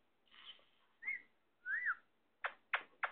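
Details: Indian ringneck parakeet, a pet parrot; soft rising and falling whistled notes, then a sharp bent whistle, followed by three loud, abrupt squawks.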